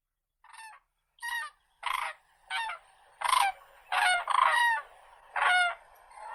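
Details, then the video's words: Crane giving loud, rolling trumpeting calls in separate bursts about a second apart, growing louder and harsher toward the end; rich layered tones, no other sounds. "Голоса птиц как поёт Журавль (Grus)"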